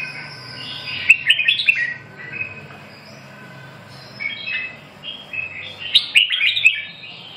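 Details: Red-whiskered bulbul singing two loud bursts of quick, clear, chirping whistles, one near the start and one near the end. Softer warbled phrases fill the gap between them over a faint low background hum.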